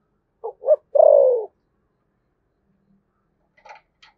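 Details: Spotted dove from Dong Nai, Vietnam, with a deep thunder-style voice, gives one phrase of two short notes and a long falling coo. Faint clicks follow at the end.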